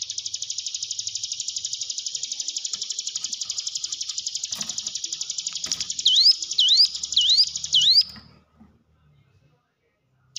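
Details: Hill prinia song meant to make caged birds sing: a sustained high pulsed trill for about eight seconds, ending with four sharp upswept whistles before silence.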